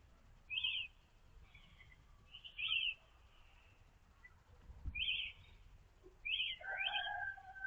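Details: European robin singing in the early morning: short, bright trilled phrases high in pitch, about four bursts spaced a second or two apart, with a faint steady tone and low background rumble.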